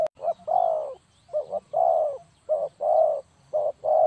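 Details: Clean spotted dove call used to lure birds for trapping. Mellow, low cooing runs in paired notes, a short coo then a longer drawn-out one, repeated with brief gaps over a soft low hum.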